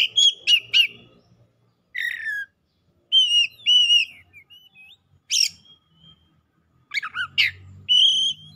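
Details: An excited, vigorously singing Oriental magpie-robin (kacer) unloading its isian: clicking notes and clear whistles, a buzzy phrase, wavering whistled trills, then a final long steady whistle, with faint low hum in places.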